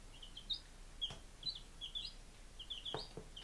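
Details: Five-day-old chicks recorded 23 July 2017 in Lunenburg, Massachusetts; short piercing peeps come in small bursts with pauses, some doubled, alongside occasional dull thumps.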